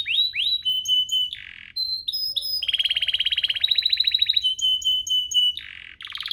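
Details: Domestic canary singing to set off other canaries: whistled slurs, pure steady notes, a short buzz, then a fast regular trill, more pure whistles and a final buzzy rising phrase.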